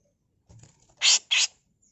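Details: Female grey-cheeked bulbul, recorded as a master tutor song: two loud harsh rasping bursts in quick succession over a quiet background.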